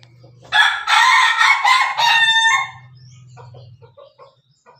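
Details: Pelung Bangkok rooster eating beside hens. It delivers a strong, rasping crow of about two seconds in pulsing segments, over a low steady hum, followed by soft, quiet clucking.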